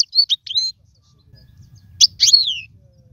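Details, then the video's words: Goldfinch notes used to tutor young birds to sing: a few high, sharp chirps, a second of near silence with low background murmur, then a couple of twitters and a long downward slur. "اسمع المقنين واعطي رايك فيه,افضل تغريد لتعليم الفراخ"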